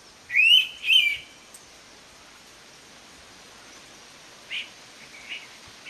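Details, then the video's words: Indian pitta (navrang) at Abloli, Konkan: two loud, clean whistled notes half a second apart right at the start, followed by quiet background with a few faint distant notes. "Indian Pitta Call / नवरंग"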